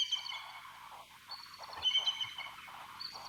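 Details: A bald eagle pair communicating with thin, high, squeaky piping notes in short bursts, over faint background hiss.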